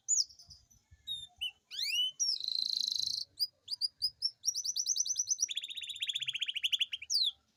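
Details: Atlantic canary kept in a cage, singing a long rolling song played to encourage reluctant canaries: scattered chirps and rising sweeps, a buzzy roll, varied whistled notes, then a long rapid trill that drops lower in pitch.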